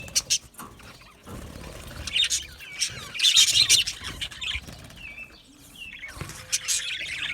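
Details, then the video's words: Budgerigars, Australian budgie parakeets, chirping when content: scattered bright high chirps and short squawks in separate bursts with brief quiet gaps, the busiest stretch in the middle and a final burst at the end. "Budgie parrot chirping sounds"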